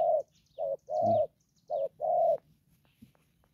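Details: Young decoy spotted dove used for trapping, calling in the đồng pha style: a steady run of mellow coos alternating short and long notes, five in under two and a half seconds, over a quiet background.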